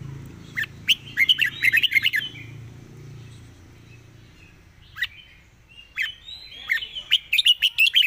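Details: Fast 'fast-beak zone' song of a red-whiskered bulbul: a tight volley of chirps and slurred notes, a quiet stretch with one isolated chirp, then another rapid string of bright notes over low background rumble.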